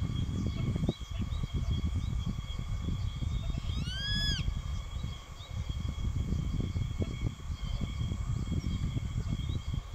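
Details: Juvenile Grey-faced Buzzard calling persistently at an adult perched in line with it, which later chased it off; a single clear, ringing, arched whistle rises then falls mid-clip over heavy low rumbling wind noise and steady high insect-like tones.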